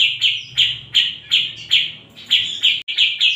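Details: Cucak jenggot, or bearded bulbul, giving a steady run of sharp, high chirps. Each note is loud and slurs slightly downward, repeated every third of a second or so, with one brief cut near the end and a low background hum.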